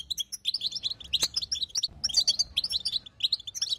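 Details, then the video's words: Female European goldfinch chattering, a call meant to stir a silent male into singing: rapid high, thin twittering chirps packed into dense bursts with tiny gaps, plus a sharp click near the middle. "بتبته انثى جديده تحل مشكله الصمت عند الحسون"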